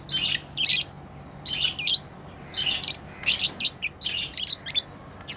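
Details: Pet lovebirds at play give rapid clusters of shrill, rasping chirps, each burst lasting about half a second and separated by short pauses. Nothing else is clearly heard.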